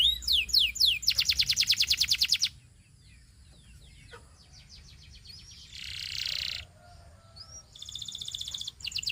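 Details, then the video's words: Belgian canary song in separate bouts: a quick sweep and a rattling high trill, a pause with faint chirps, a brief buzzy burst, then another rapid trill starting up. "The Singing Canary Tempts All Canaries to Sing - Belgian Canary Singing"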